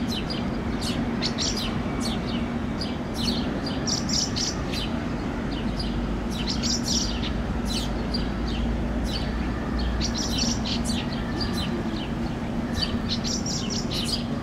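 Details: House sparrow fledglings vocalizing and making wing gestures while a parent feeds them on a lawn in Helsinki, Finland, June 2013: dense bursts of sharp, high chirps repeated rapidly, often several at once, over a steady low traffic hum.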